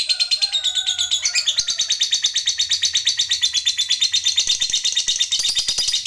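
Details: Lovebirds calling to prompt other lovebirds to answer: a long run of rapid, harsh, chattering notes repeated about three times a second, high and dense throughout, with a few lower whistled tones at the start.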